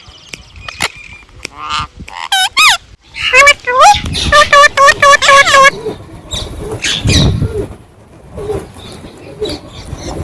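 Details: Wild Indian ringneck parakeets calling: a burst of loud, harsh, ringing squawks repeated rapidly in a short series, with people talking and traffic noise in the background.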